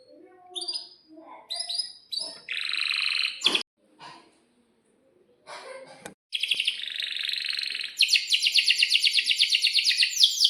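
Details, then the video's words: Canary singing in breeding condition, a song used to prompt young canaries to sing: scattered short chirps and harsh buzzy bursts with silent gaps and clicks, building to a loud, fast, high rolling trill. "kenari gacor panjang buat pancingan kenari paud belajar bunyi agar NYAUT"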